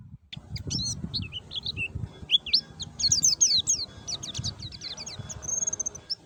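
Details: Forest white-eye lure with a clear voice, used to start captive white-eyes singing. A busy, varied run of high twittering notes, some rising and some falling, ends in a level whistle, all over a steady low background noise.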